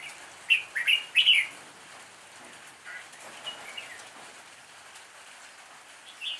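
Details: A red-whiskered bulbul used as a lure sings for fighting, opening with a loud run of bright chirping notes, then fainter phrases and a final short note.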